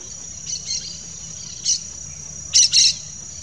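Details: Harsh, raspy chirps from a pair of Yellow-chevroned Parakeets (Brotogeris chiriri), softer at first and then a loud double burst near the end, set against a continuous high insect buzz.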